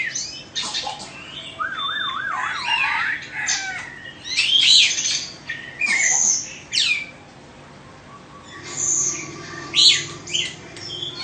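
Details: Indonesian Oriental magpie-robin, caged, a two-season bird without defects. Its song mixes a warbling, wavering whistle with sharp high notes, harsh bursts and pauses between phrases. Quiet low-pitched hum persists.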